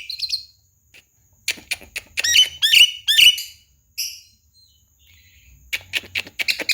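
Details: Javan myna song used to train other birds to copy it: sharp, high chirps and scratchy, buzzy notes in uneven bursts, with short silent gaps between phrases.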